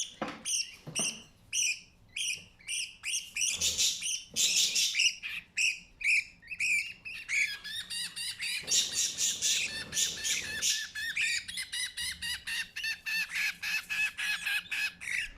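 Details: Budgerigar (Melopsittacus undulatus) chick begging insistently for food while being fed by its parent, giving rapid, raspy, high squeaks.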